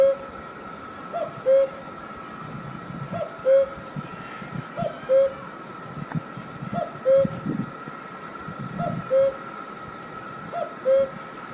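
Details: Two-note cuckoo call from Himachal Pradesh, India, a soft higher note followed by a stronger lower whistle, repeated six times at uneven intervals of roughly two seconds, with a faint hum and low rumbling behind.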